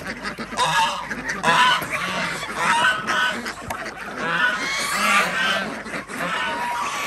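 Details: A flock of farm ducks at feeding time on an organic village duck farm in Andhra Pradesh, with geese and chickens nearby; many harsh, nasal calls overlap in a steady, crowded din.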